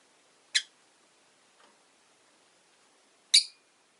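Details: Caged rosy-faced lovebirds, five birds kept in a cage by a window, give two sharp, very high, brief chirps nearly three seconds apart. Quiet pauses fall between them, with a faint soft rustle in the middle.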